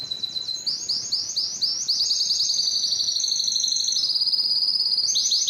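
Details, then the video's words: Canary song of varied high trills: slower rising chirped notes at first, then a long steady rapid rattling trill and brief swooping notes at the end, faint hiss underneath. "canary bird sound"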